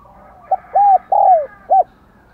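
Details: Spotted dove kept as a decoy to urge other doves into cooing, in the 'giọng đồng còi' voice; one clear phrase: a tiny opening note, a smooth level coo, a long sliding coo and a short closing note.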